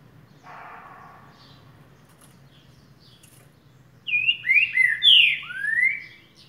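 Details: A green-winged saltator sings a "boiadeiro"-type song: a quick run of five loud, rich whistled phrases, each slurring up then down, with a brief soft rasp earlier over a low hum.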